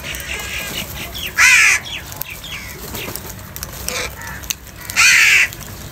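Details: Crows feeding in the morning and squabbling over food: two loud, harsh caws, one at about a second and a half and another near five seconds, with fainter chattering and clicks between them.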